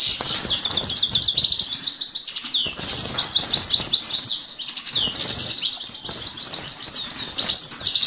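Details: Himalayan goldfinch courting a female with dense, high-pitched twittering song: fast chattering trills and tinkling notes delivered almost without pause, with brief dips between phrases.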